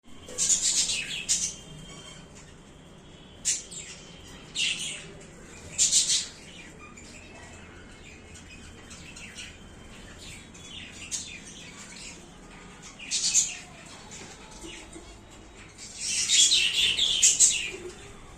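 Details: Budgerigars fighting over a matki give harsh, high chattering squawks in short irregular bursts.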